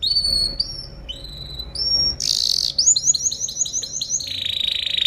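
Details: Canary song recorded to tutor other birds: upward-sliding whistles, then a harsh burst, then a quick run of repeated rising notes ending in a buzzy trill, with a faint low hum underneath.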